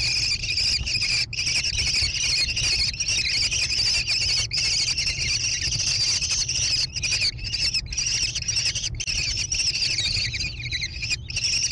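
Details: American kestrel chicks in a gravel-bottomed nest box on a barn near Prairie du Chien, Wisconsin, USA, 14 June 2022, caught on a nest camera. They give continuous high, two-toned buzzy trills broken by short gaps, over a low steady hum.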